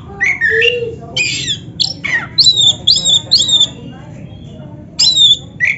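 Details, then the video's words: Caged black-breasted oriental magpie-robin singing a varied master song: rapid harsh squawky notes and bright whistled rising figures in quick bursts, with a low steady hum beneath. "SUARA BURUNG KACER MASTERAN"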